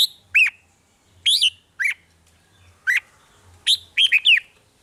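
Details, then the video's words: 'Rik' song of a red-whiskered bulbul, used to stir caged birds: scattered single sharp whistles and short two- or three-note slurred phrases, ending in a quick rising-falling cluster, with a low hum behind. "เสียงนกกรงหัวจุก ร้อง ริก เปิดให้นกฟัง ยั่วให้นกคึกจัด"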